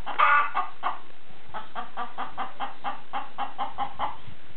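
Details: Chicken making noise, a loud rough cackle opening into a long series of rapid, evenly spaced clucks that continue to the end.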